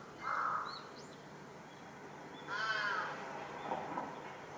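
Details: Large-billed crow making a commotion on a utility pole in a residential area, July 2023: two harsh, hoarse caws about two seconds apart, with a faint high bird chirp in between.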